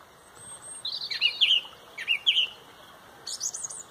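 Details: Dawn chorus song of a song thrush at sunrise, Pontrobert: a complex high twittering phrase is given twice, each about half a second long, then a separate sharp high figure follows.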